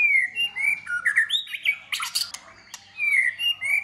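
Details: White-rumped shama singing hard in contest, tail flicking, cold season: smooth rolling whistles open and close the phrase, with a burst of harsh clicks and snapping notes in the middle.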